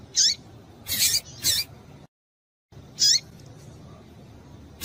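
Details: Female double-collared seedeater call for stimulating males: a quick series of three bright, high chirps, then a brief dead silence, then one more chirp, over a low hiss.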